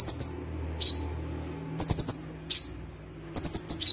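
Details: Olive-backed sunbird known as konin singing 'tembakan' phrases: short clusters of piercing, very high chattering notes and sharp downward chips, spaced about a second apart over a soft background hiss.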